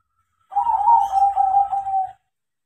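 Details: Crossing zebra dove taught to sing delivers one loud, rolling coo of rapid warbled pulses on a low, even pitch, about one and a half seconds long.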